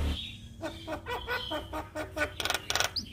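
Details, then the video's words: Javan myna answering a lure recording: a sequence of harsh, chattering notes at an uneven pace, ending in a cluster of rasping bursts and a short high whistle. "Burung Jalak Malas Bunyi Langsung Respon Dengan pancingan jalak Kebo GAcor"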